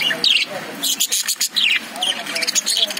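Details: Lovebirds in a cage trade shrill, squeaky chirps and twitters in rapid uneven bursts with hardly a pause.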